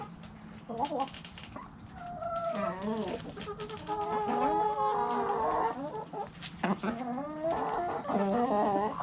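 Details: Backyard hens in a lively chorus of drawn-out, wavering nasal calls and rapid clucks, several birds overlapping continuously, ending in short sharp clucking bursts.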